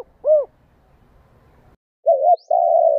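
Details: Spotted dove, 'gù đảo nước' cooing played to stimulate caged decoy doves: one rounded arched note, a silent gap, then a wavering two-part coo and a long steady hoarse coo.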